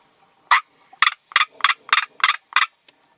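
Northern black korhaan giving a run of seven harsh, raspy croaks, about three per second, loud and broadband against a quiet background.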